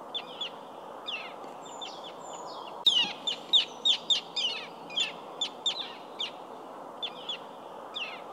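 Common terns give harsh, sharp kik and kee-arr notes, repeated in quick irregular bursts over a steady rush of wind or water.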